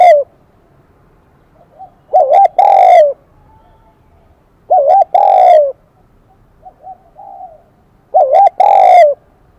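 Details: Wild-caught spotted dove singing in the high-pitched kim đồng (bell-like) voice style, a Vietnamese song type: three loud cooing phrases about three seconds apart, each a wavering double note then a long, slightly falling coo, in a quiet setting.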